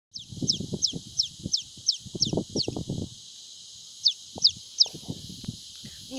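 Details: A newly hatched painted spurfowl chick found near Bear Mount gives thin, high, downslurred peeps, about three per second, with a brief pause; low thumps and soft voices underneath.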